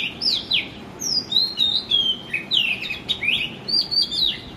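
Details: An Oriental magpie-robin male sings in the morning, a varied, continuous run of clear, high whistles with quick rising and falling slurs about three times a second, and no other clear sounds.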